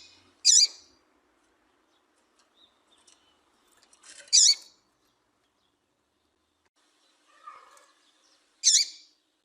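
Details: Double-collared seedeater female call, played to get males singing: single bright, high, slurred chips repeated about every four seconds, three in all, over near silence with faint scattered ticks.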